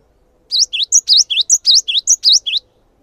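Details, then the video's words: Gelatik batu (cinereous tit) singing eagerly to draw other birds into song: crisp, very high notes, each a quick down-up swoop, rattled off in a rapid series of about eleven over two seconds. "GELATIK BATU GACOR | SEKALI PUTAR SEMUA GELATIK LANGSUNG IKUT RAME"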